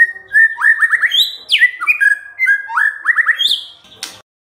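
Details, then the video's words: White-rumped shama lure song for stirring quiet birds to answer: loud whistled notes, runs of fast rising slurs and a sharp high downsweep, closing with a brief clatter then silence. "MURAI BENGONG LEWATTT❗Pasti NYAUT Dengar Pancingan ini❗"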